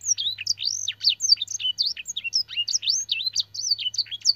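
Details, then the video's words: Canary training song with blackthroat and edel sanger imitations: a fast, unbroken stream of high, sweet twitters and swooping whistled slurs, several notes each second, over a faint low hum. "burung kenari gacor isian blackthroat dan sanger - suara masteran burung kenari"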